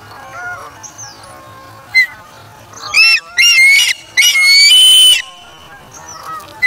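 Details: An osprey chick feeding on a fish taken from its parent at the nest, August 3, 2017: a quiet stretch with faint chirps, then a cluster of three loud, shrill whistling cries in the middle.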